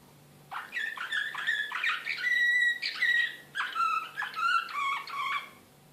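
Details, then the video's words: Excited Serbian Slavujar canary recorded in Belgrade in 2016, delivering varied song: rapid trilled notes, a sustained clear whistle, then bubbling phrases of falling and rising syllables in a quiet room. "كناري هائج"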